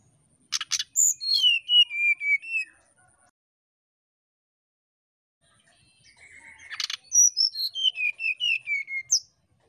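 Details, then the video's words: Brown-chested jungle flycatcher giving a flute-like whistled song to provoke a rival: two phrases, each opening with a harsh buzzy note and then a string of about ten sweet whistles stepping down in pitch, separated by a few seconds of silence. "Burung Sikatan Rimba (SRDC) Nyuling Memancing Lawan"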